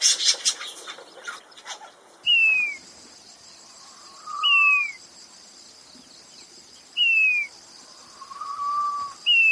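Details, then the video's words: King quail, likely a male, gives clear descending plaintive whistles, each paired with a lower slurred note, repeated about every two and a half seconds after a brief noisy opening burst; males give a descending whistle and a raspy snoring call. "Males give a descending plaintive whistle, choo choo, and a raspy snoring call."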